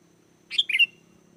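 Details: Sooty-headed bulbul song used as a lure to make wild bulbuls answer and sing: one short bubbly phrase of quick rising and falling notes, about half a second long, over a faint low hum.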